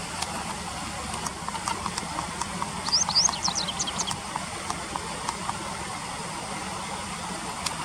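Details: Japanese wagtail call, taken from a bird field guide: a brief cluster of thin, high, sharply sweeping chirps packed into about one second midway through, over a steady hiss with scattered faint clicks.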